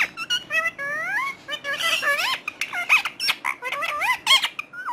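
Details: Talking parrot producing a dense run of speech-like sounds: rising and falling whistled tones, squeaks and squawky syllables in quick succession, with little pause.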